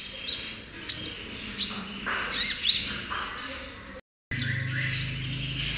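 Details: A young, wild-caught captive brown-throated sunbird learning its song: thin, high chirps and short sliding tweets at an uneven pace, with a brief break and a low hum behind.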